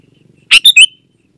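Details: A singing Sooty-headed bulbul, used as a lure for wild birds and as a model for caged ones: one quick phrase of three bright, clipped whistled notes, the last sliding downward, over near silence.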